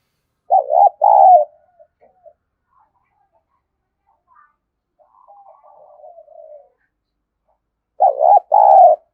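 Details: Spotted dove coo used as a lure to attract doves: two short bursts of low hooting notes near the start and again at the end, with soft scattered faint sounds between.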